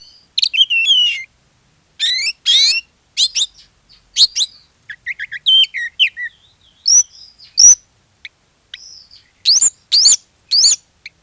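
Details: Kacer, the Oriental magpie-robin, singing energetically as a lure for other birds of its kind; dense sequences of sweeping whistles, quick chattering notes and high clear upslurs, phrase after phrase.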